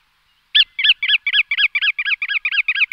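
A bar-tailed godwit gives a fast series of nasal, slightly rising-then-falling notes, about five a second, with no other sounds.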